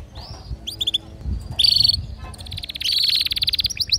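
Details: Household canary male singing while a female calls for mating: a short rising whistle and clipped chirps, a loud buzzy burst, then a long fast rolling trill of rapidly repeated notes.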